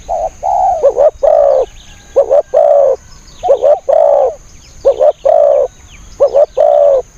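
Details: Spotted dove calling as a decoy to lure wild birds for trapping: repeated mellow cooing phrases, each a quick double coo followed by a longer drawn-out coo, roughly every one and a half seconds, with a faint steady high hiss behind.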